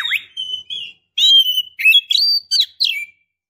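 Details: Female Oriental magpie-robin calling to a male, used to provoke males into fighting, singing, or mating: a rapid run of clear whistled notes, some rising or falling, mixed with short harsh chips. No other sounds.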